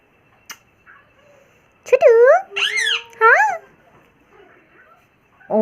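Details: A pet Indian ringneck parrot gives three quick, nasal, speech-like phrases, each bending up then down in pitch, in a quiet indoor room.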